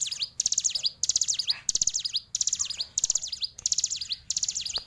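A hill prinia sings bright, high, thin chirps in quick bursts of rapid notes, repeating a new burst every half second or so with little else heard.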